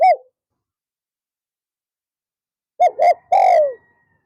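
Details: Spotted dove serving as a decoy for wild doves, afternoon: one short coo, a pause of over two seconds, then two quick coos and a long, drawn coo sliding down in pitch.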